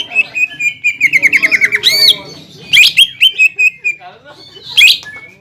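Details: Greater green leafbird lure song for provoking a rival: a rapid trill of repeated short whistles, then clusters of sharp chirps and slurs separated by short gaps.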